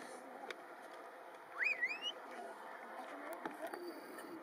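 A Tristram's starling gives a single clear whistle that swoops up, dips, then rises again, lasting about half a second, over a steady hiss of background noise.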